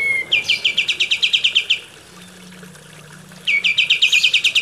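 Kapas tembak bulbul singing rapid bright chattering bursts of about a dozen high notes, pausing and repeating, with a faint low hum between phrases.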